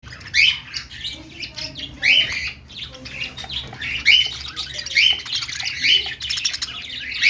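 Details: Pet budgerigars, more than one, making happy chirping sounds: bursts of scratchy warbled chatter and short squeaky chirps that come and go every second or so, with quieter gaps between bursts.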